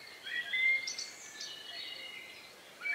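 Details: Birds singing just before night in the countryside, May 2, 2020, near 9 p.m., with stereo microphones; a brief loud chirped burst followed by soft overlapping whistles and thin sustained high notes, then a fresh chirp at the end.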